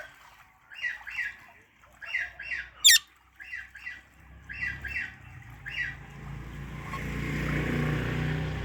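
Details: Parrot uttering short doubled squawky chirps every second or so, with one sharp click, then a rising rushing noise at the end.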